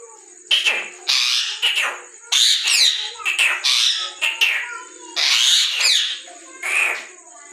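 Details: Green Indian ringneck parrot, described as talking, chatters in short, harsh, speech-like bursts, about eight phrases in quick succession, over a faint steady high-pitched whine.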